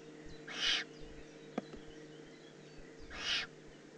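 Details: Juvenile eagle-owl from the Eifel, June 2016: two drawn-out hissing screeches about two and a half seconds apart, with a faint click between them and a low steady hum in the background.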